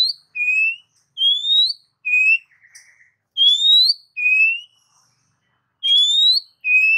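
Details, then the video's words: Oriental magpie-robin repeating pure, slightly rising whistled notes that alternate between a lower and a higher pitch, about one every second, with a short buzzy note in between. "Suara Burung Kacer 100% ampuh ngacor"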